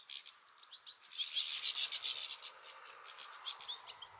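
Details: European goldfinches squabbling at a two-port feeder with juveniles about; a harsh buzzy rasp at the start, then irregular quick chirps and twitters fading toward the end.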